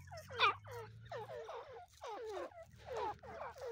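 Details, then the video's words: Grey partridge pair (teetar) calling at a distance: faint, hoarse downslurred notes in clusters about once a second, over a steady low hum. "teetar pair voice | Partridge birds call"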